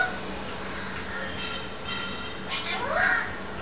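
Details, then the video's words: A 22-year-old pet Alexandrine parakeet in his gallery cage says "hello" twice in a sweet, human-like tone, harsh and speech-like, the second louder and rising, over a steady hum, around 1:15 pm on 30 January 2014. ""HELLO,HELLOO",Its "Mittoo the poppat""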